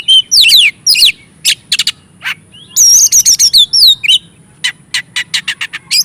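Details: Energetic Oriental magpie-robin song meant to provoke and rouse other magpie-robins: rapid, varied bursts of piercing chirps, downward-sliding whistles and wavering notes, delivered in quick clustered phrases separated by short gaps.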